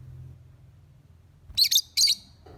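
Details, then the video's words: Morning lovebird lure: after a quiet hum, two quick bursts of piercing, scratchy high chirps in close succession, followed by a soft low rustle. "Pancingan Suara Love Bird - Untuk Pagi Hari"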